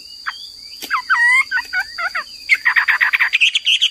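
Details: Hwamei song: scattered short whistled notes and slurs, then a fast run of rich repeated whistled notes near the end, over a steady high-pitched electronic tone.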